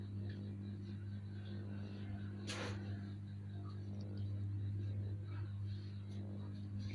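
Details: Steady low electrical hum in a small room with faint murmuring and one brief rustle; no animal sound is heard.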